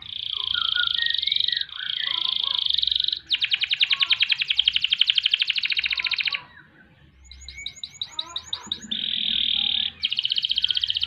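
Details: Kenari canary in long, varied song with ngerek and ngerol passages: dense buzzy rolls alternate with a fast rattling trill and a quick run of high falling notes, with faint low background noise.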